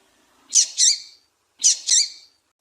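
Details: Calling female double-collared seedeater, used to stimulate a male: two identical quick double chirps, high and slightly buzzy, about a second apart, with nothing else heard.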